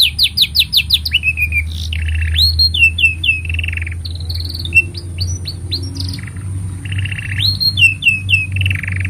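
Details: Canary song used to tutor young canaries: quick falling whistles, rolling trills and rising slurs in varied phrases, quieter mid-section, with a steady low droning hum beneath.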